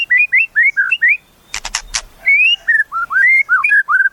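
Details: Rich slurred whistles from a white-rumped shama, with a quick run of rising notes, a trio of harsh rasps, then longer fluty phrases.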